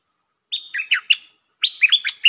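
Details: Red-whiskered bulbul song in two bursts of bright whistled, warbling notes, each burst a quick run of four or five rising and falling phrases with a short pause between, clear against a silent background.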